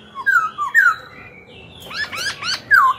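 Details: Black-throated laughingthrush singing to provoke newly caught birds to fight and to train young birds' voices: short slurred whistles, then a quick run of three stacked, rising-falling notes and a final loud downslurred whistle.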